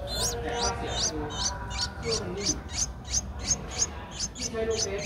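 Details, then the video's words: A Streak-eared Bulbul nestling 11 days old, recorded in Ubon Ratchathani, Thailand, on 13 April 2023, gives a steady run of sharp, high squeaks, about three each second, throughout, with a faint low hum. "นกปรอดสวน อายุ 11 วัน : Streak-eared Bulbul (Pycnonotus blanfordi)"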